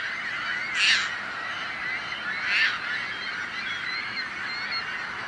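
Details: Seagulls calling, two loud harsh squawks rising above a steady dense chatter of many more gulls in the background.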